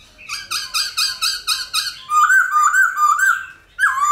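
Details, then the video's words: A laughingthrush sings in a wild-style, many-voiced song: six loud, clear whistled notes at about four per second, then rolling, warbled phrases. The song is rich and mid-pitched, with no other sounds. "Khướu Hót giọng GIÀ RỪNG - GIỌNG HAY - NHIỀU GIỌNG"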